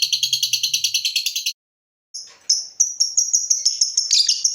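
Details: Lovebird in full chatter, kept as a master-song bird to stir other lovebirds: a fast rattling run of high buzzy notes, a short gap, then a string of sharp high chirps that speed into a jumbled squeaky burst.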